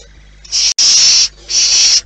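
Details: A barn owl at the nest gives loud, harsh hissing screeches: two long rushes of breathy noise broken by a brief silence, then a third hiss after a short pause.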